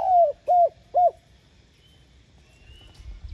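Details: Tail end of a spotted dove's coo phrase, used to stir other doves into calling: one longer falling coo followed by two short hollow coos, then quiet hiss with a faint low rumble.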